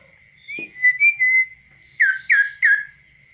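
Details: Tame kaso-kaso bird perched on a hand outside any cage, singing clearly and with variety: soft level whistles, a click, then three loud downslurred whistles repeated about every third of a second.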